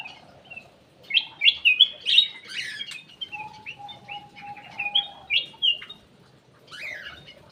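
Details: Ruby-throated bulbul (cucak emas / kutilang emas) song used as a lure: bursts of bright, slurred whistled and chirpy notes, busy and overlapping, with a long steady low whistle-like tone running through the middle.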